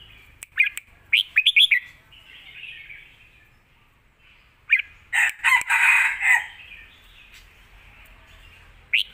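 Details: Red-whiskered bulbul singing a fierce Lak Wai style song with a complete master song for teaching young birds; bright whistled phrases of looping notes alternate with loud rough bursts, and one more note closes.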